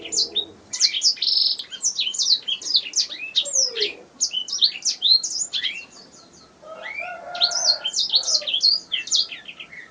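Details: Canary song recorded as tutor material for training songbirds: a continuous high, rapid chatter of twittering and trilled notes with brief pauses, a lower whistled note near the middle, and a softer burst of lower sound near the end.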